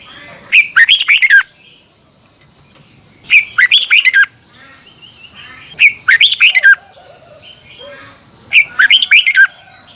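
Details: Red-whiskered bulbul from Thailand, a song played to stimulate and train caged birds: four jaunty phrases of rapid, chuckling whistles, repeated at intervals of about 2.5 seconds, with a constant high whine underneath.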